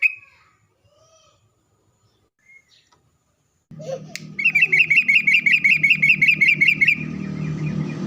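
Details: Sooty-headed bulbul song used as a lure to make bulbuls answer. Near-silence with scattered faint notes, then a fast, even run of bright chirps about three per second over a loud low buzzing hum.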